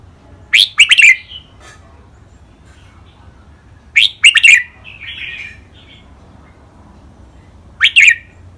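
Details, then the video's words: Red-whiskered bulbul training song in the Thai rik, beul, lak wai, mae bot and nap dok styles from caged birds. Three loud chirpy whistled phrases, each a fast cluster of two or three notes, with a soft warble after the second. "นกกรงหัวจุก เสียงร้องเล่นริกเบิ้ล ลากหวาย แม่บท นับดอก ครบเครื่อง"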